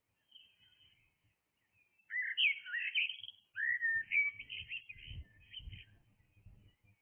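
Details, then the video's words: Blackbird in song at dawn: two flowing, fluted phrases back to back, the second ending in a scratchy twitter, while low rumbling noise rises in the background. "Blackbird singing"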